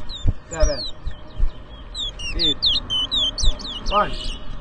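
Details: Chestnut-bellied seed finch (towa towa) singing at a 2023 whistling competition in New Amsterdam, Berbice, Guyana. Bright slurred whistles run together in a quick tumbling phrase, with people talking and calling loudly nearby.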